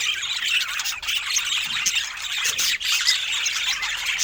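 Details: A group of budgerigars bred in different colour mutations chatters steadily, thin squeaky notes and quick warbles overlapping into a constant high twittering with a couple of brief dips.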